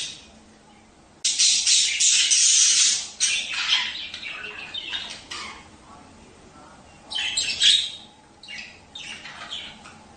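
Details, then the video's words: Budgerigar sound for prompting mating: quiet opening, then a loud two-second burst of harsh, buzzy high warbling, softer chirrups, a pause, and another squawky burst later. "تحفيز البادجي على التزاوج"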